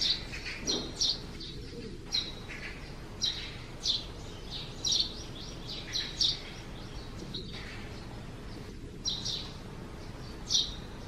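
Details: Eurasian tree sparrow leaving its nest under the eaves on a cloudy morning in June, chirping steadily: sharp high chirps repeated about once a second for over ten seconds, with a soft low sound early on.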